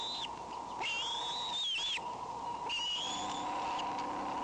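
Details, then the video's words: Wheezing bald eagle at a camera-watched nest on May 19: drawn, high whistles that rise and then level off, several in sequence, with a steady mechanical hum underneath. "A bit of wheezing"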